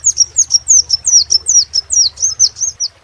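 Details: Crimson sunbird in full song, a continuous string of about thirteen piercing, high-pitched notes each slurring downward, delivered at a brisk, even pace with a low hum beneath.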